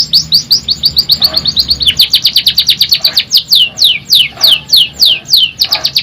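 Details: Vigorous canary song made of rapid repeated high notes, each a quick downward sweep, running in fast trills that slow into broader slurred descending notes toward the end, with faint low background hum.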